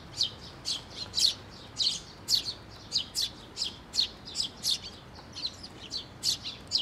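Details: Sparrows, including fledglings, flying in to a bridge over water at a shrine to be fed, 11 May 2024; a steady run of about thirteen sharp, high chirps, roughly two per second, with a soft background hiss.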